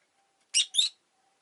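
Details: Rosy-faced lovebirds, a pair clustered at the entrance, give two quick rasping chirps in close succession, high and noisy, with a faint steady hum underneath.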